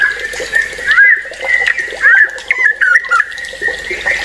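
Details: White-rumped shama singing energetically in an agitated, prolific style: varied whistled phrases with quick upslurs, downslurs and rattling notes, in short bursts separated by brief pauses, with faint background noise.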